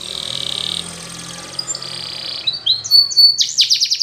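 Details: Canary song in the Spanish Timbrado style, used as a training song: a faint, soft rolling trill and a thin, steady tone, then louder, bright, clipped notes and short rising whistles near the end.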